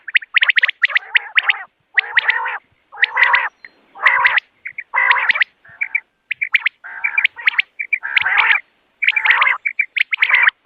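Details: Morning common quail calls for hunting: repeated bursts of rasping, harmonic-rich notes alternating with sharp high chirps, about one burst per second, separated by brief silences.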